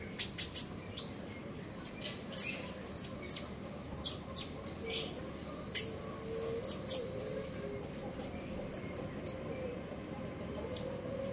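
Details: Common iora singing in the morning in a trotol ngeriwik style: sharp, very high chips scattered irregularly over about eleven seconds, some paired or tripled, over a steady low hum.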